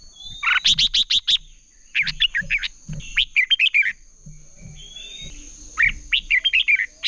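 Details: Red-whiskered bulbul singing competitively to rouse other bulbuls: a run of sharp repeated chips, then several warbled phrases of rolling, liquid notes, some soft thuds and a steady high whine in the background.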